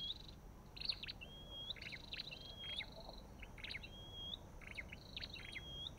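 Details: Olive-backed tailorbird giving a steady series of rising whistled notes, each introduced by sharp chirps, about one per second, over a low hiss.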